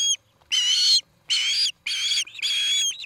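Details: Osprey at a Montana nest near Charlo, from a nest camera on 17 August 2018 around dusk: four drawn-out, strained squealing whistles, each about half a second, slightly wavering, separated by brief silences.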